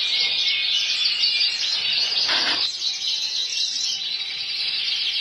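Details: Male full frill canary in nonstop song, a loud, unbroken stream of fast high trills and twittering rolls, with a brief rustling burst midway.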